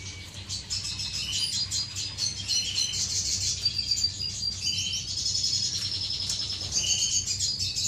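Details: Courting aviary finches, recorded 10 May 2015, keep up a busy mix of high chirps, brief buzzy trills and thin whistles from many birds at once, over faint low-pitched background noise.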